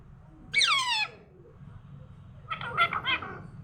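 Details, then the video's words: Talking parrot in the morning utters a loud harmonic, voice-like phrase, then after a pause a quieter burbling run of syllables. "morning orijnal telking parrot"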